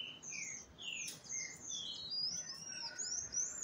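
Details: Captive green-winged saltators during breeding, a female said to be ready and soliciting a male while another bird tries to mate: clear whistled slurred notes, some falling, around mid to high pitch, with overlapping higher chirps and a brief knock.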